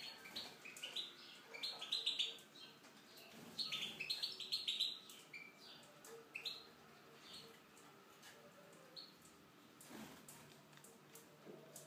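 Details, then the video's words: Tunisian goldfinch singing in an aviary: rapid bursts of bright, twittering and tinkling high notes in quick runs during the first five seconds, then sparser, quieter notes with pauses. "chardonneret tunisien (volière)"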